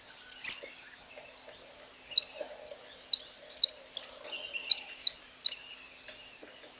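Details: A zebra waxbill (Amandava subflava), a savanna finch from Africa, sings a run of high, thin chips and tinkling notes, about two or three a second, with a few soft buzzy notes between them.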